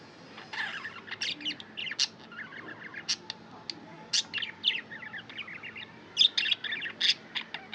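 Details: Tame pet budgie chattering: sharp high chirps and short warbled phrases in irregular bursts, louder toward the end, over a quiet background.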